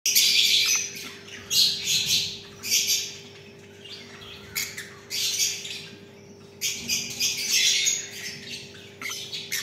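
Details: A family of budgerigars (Melopsittacus undulatus) chatters in harsh, buzzy bursts of squawks and chirps, pausing briefly between flurries.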